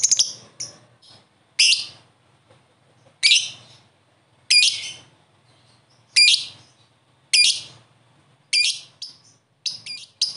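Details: Lovebird, a prospect bird, replying to another lovebird with loud, harsh, shrill calls spaced about a second or more apart, some doubled, with quiet gaps between.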